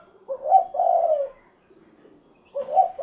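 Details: Spotted dove giving its cukurukuk kuk geruk call, a low husky coo phrase of a broken opening and a long rolling final note, with a second phrase starting about two seconds later.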